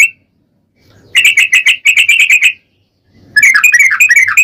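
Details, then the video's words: Sooty-headed bulbul singing a long rambling phrase used as a lure to prompt other bulbuls to sing: a brief note, then a quick run of repeated bright chirps, a pause, and a second rapid burbling warbled burst. "trucukan gacor ROPEL PANJANG pancingan trucukan agar bunyi"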